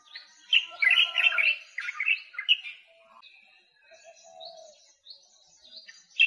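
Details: White-capped water redstart: a dense burst of loud, shrill chirps and buzzy high notes over the first two and a half seconds, then thin, softer high whistles and a faint lower drawn-out whistle behind them.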